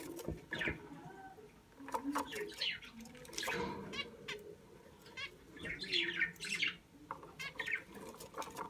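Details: A budgerigar with many eggs chatters in quick scratchy chirps and squawks, with warbled bursts tumbling over one another.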